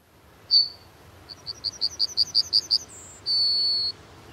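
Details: Yellowhammer song: one introductory note, then a quick series of about ten identical short notes that grow louder, ending in a drawn-out, steady, high whistled note.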